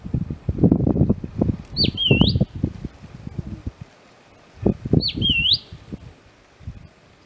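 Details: A wild, very vocal Southern scrub-robin, a ground-dwelling bird perched metres away, gives two high, sweet whistles, each dipping then sliding upward, about three seconds apart, over loud low rustling and thumping sounds.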